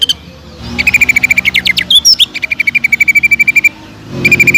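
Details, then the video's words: Greater green leafbird pouring out a fast pulsed trill, broken midway by a few sharp rising whistles and a squeaky twist, then resuming steadily before a short gap; song aimed at goading other cucak ijo. "BEARAPI API...!!!TEMBAKAN PEDAS CUCAK IJO GACOR BUAT MANCING CUCAK IJO LAIN AGAR JAMTROK"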